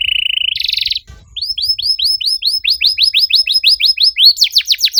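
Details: Canary song meant to stimulate other canaries: a steady buzzy trill, a brief louder rattle, a pause, then a long series of arched whistled notes ending in steep descending sweeps.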